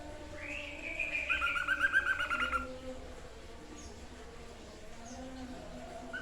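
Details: White-chested babbler, locally called sniper bird or tepus dada putih, in a training recording for songbirds: a wavering whistled trill in two parallel bands, lasting about two seconds, over quiet background hiss.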